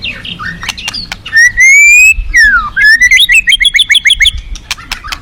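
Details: Forest white-rumped shama with long, smoothly rising whistles, a falling slur, then a quick series of repeated upward-hooked notes, closing with sharp clicks.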